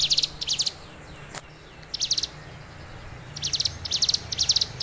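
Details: Hill prinia, a tame bird, singing actively: bursts of high, buzzy, rapidly stuttered notes in short clusters of two or three, separated by brief pauses, a single sharp click mid-way, faint steady hum beneath.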